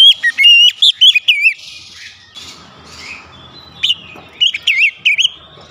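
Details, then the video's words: Oriental magpie-robin goaded into aggressive singing, opening with a fast run of loud wavering whistles, then softer scratchy sounds and a few more bright notes near the end. "pancingan Kacer langsung emosi"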